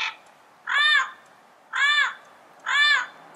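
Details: Wild yellow-headed parrot calling in its natural habitat: three strong, arched, harmonic squawks, nasal and grating, repeated about once a second with quiet gaps between them.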